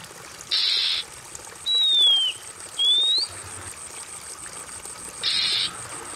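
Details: Oriental magpie-robin, used as therapy for a stressed bird that has stopped singing: a buzzy burst, a falling whistle, then a rising whistle, and another harsh buzz, set against continuous trickling water.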